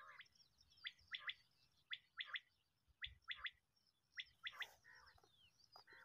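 Common quail giving its liquid three-note 'wet-my-lips' call, one note then a quick pair, repeated about once a second, with faint background chirps.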